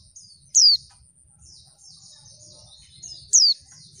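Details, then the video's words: Female Oriental white-eye call, used to provoke males into calling quickly as in the wild; two sharp, high, down-slurred chirps about three seconds apart with soft high twittering between, over a faint steady hum. "suara pleci betina bikin ombyokan cepat ngalas"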